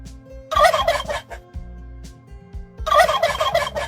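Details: Turkey giving two rattling gobbles, one near the start and one near the end, each a quick burst of repeated notes, while quiet background music continues between them.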